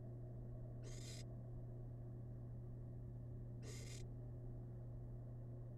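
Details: Two breathy, screechy hisses nearly three seconds apart from a tiny wild barn owl chick feasting on rabbit remains in a research nest box, a droning low hum throughout.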